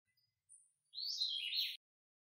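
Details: A Puerto Rican vireo, endemic to Puerto Rico, building its nest gives one harsh, buzzy, scolding call lasting under a second after a faint thin high note, against an otherwise quiet background.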